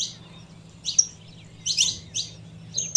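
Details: A female saffron finch gives brief high chips and a short thin whistle, calls meant to rouse a male, with a low background hum.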